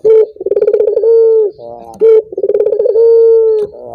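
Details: Two loud coo phrases from a Barbary dove, meant to set other doves singing. Each opens with a short note, rolls into rapid pulses, then holds a long smooth tone.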